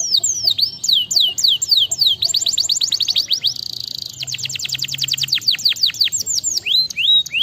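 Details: Canary singing in a fast, varied run of repeated sweeping whistles, many rapid downslurred notes, a buzzy trill in the middle, then looping upslurred phrases; steady and loud throughout.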